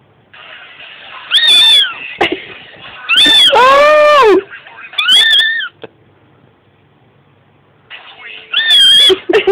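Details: A pet lineolated parakeet, Lilo, reacts to the song "Macho Man" with four loud, squawking calls, one long and falling, over faint background music; owner says it wasn't impressed.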